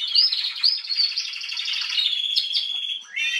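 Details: Atlantic canary hen in song on 21 January 2022, a dense unbroken warble of fast high trills with brief sharp upslurred notes at the start and a rising note at the close.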